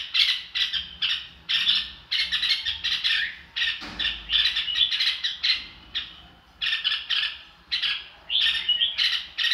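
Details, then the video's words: Red-whiskered bulbul "ro kích" song used to get freshly caught birds singing along: dense rhythmic bursts of scratchy chirping notes repeated quickly, with a short gap near the middle before resuming. "chào mào ro kích bổi sung theo."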